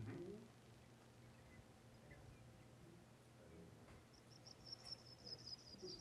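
Sprague's Pipit singing a thin, high, tinkling series of quick notes that slowly descends over about two seconds, heard over a low room hum.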